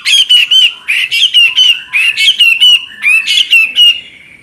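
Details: Chinese hwamei delivering loud, rhythmic song of ringing whistled notes linked by quick slurs in rapid phrases, trailing off into a fading whistle.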